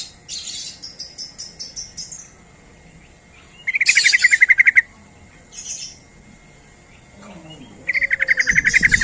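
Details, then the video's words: Sooty-headed bulbul call meant to attract other bulbuls: high descending chirps open, then two fast runs of loud, clipped notes, each about one to one and a half seconds, separated by a quiet gap. "Suara Panggilan Trucuk Gacor ini||Pancingan&MasteranTrucuk"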